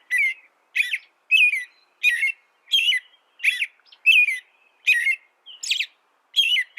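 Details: Canary song made of bright, whistled, chirpy phrases, each a short burst of rising and falling notes, repeated steadily more than once a second with brief pauses between, no other sounds.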